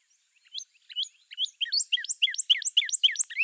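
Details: Northern Cardinal (Cardinalis cardinalis) starting with spaced, thin slurred whistles that speed up into a quick, steady string of bright two-part notes.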